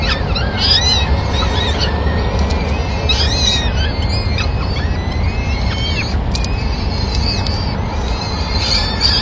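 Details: Peregrine falcons in Madrid, 26 April 2016, as the male brings the day's first food for all the chicks; scattered groups of curved, squealing calls with pauses between them, over continuous city drone.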